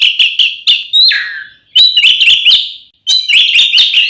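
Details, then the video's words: Oriental magpie-robin fighting song for provoking other magpie-robins: bursts of rapid sharp chips and whistles, one phrase sliding downward into a buzzy tail, separated by brief silent gaps. "SUARA BURUNG kacer gacor NGEPLONG TARUNG ini paling AMPUH buat PANCINGAN KACER agar EMOSI"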